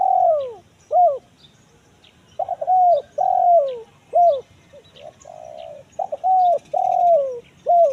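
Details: Spotted dove, kuk 1 mersik call, said to get quick replies from wild forest birds: repeated low coo phrases, each a stuttering start, a rounded coo, a long downward coo and a brief closing note, faint chirps behind.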